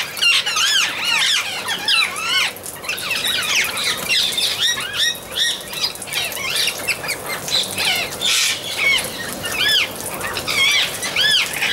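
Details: Noisy chorus of Amazon parrots, many arched, screechy calls packed closely together for over ten seconds, with a brief lull before the calling resumes.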